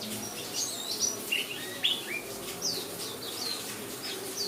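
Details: Pleci (white-eye) of the buxtomi type singing over a rain-sound track used to prompt singing; quick, high, slurred chirps in irregular clusters, some notes dipping then rising, against a continuous soft rain hiss.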